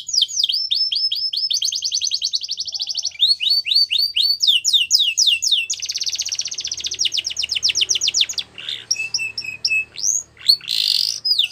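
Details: Yellow canary singing in the wild, stringing together rapid tours: clipped downslurred notes, then a dense buzzy trill, more swept notes and a rattling passage, closing with scattered high chirps and short whistles.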